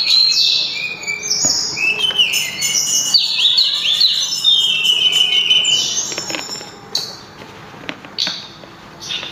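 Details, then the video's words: Mountain tledekan (sulingan) in loud, melodious song: a dense run of high whistled notes and quick slurs for about seven seconds, then sparse clicks and faint notes. "burung sulingan atau tledekan suara merdu langsung ngelangit berkicau"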